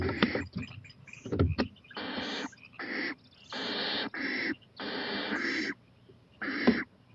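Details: Owl venturing onto a porch at 11:26 pm, 23 April 2018, looking toward a playground; a run of rough, noisy screeching hisses, some longer than half a second, with a few clicks and bumps early on.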